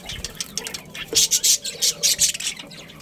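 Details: Budgerigar breeding pair, pet Australian parrots, giving harsh, hissing squawks in short bursts, clustered loosely in the second half with brief gaps between them.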